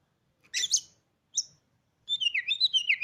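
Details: Newly bought caged Oriental magpie-robin gives a rough doubled note and a short chip, then breaks into a rapid, twittering, warbled phrase.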